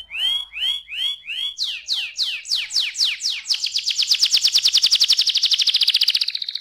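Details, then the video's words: A canary's varied song, played to make young canaries sing actively. Looping rise-and-fall whistles give way to sharper downslurred notes, then a fast, continuous, high rattling trill that holds steady to the end. "ampuh membuat kenari muda gacor"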